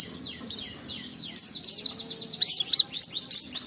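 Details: Oriental white-eye song meant to prompt other white-eyes to sing: quick sweeping high chirps in short bursts, slurred up and down, tumbling one after another for a few seconds.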